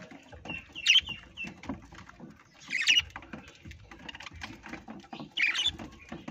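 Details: Three rasping, high parrot screeches, spaced roughly two seconds apart, each brief and harsh, over a steady bed of low rustling and tapping sounds.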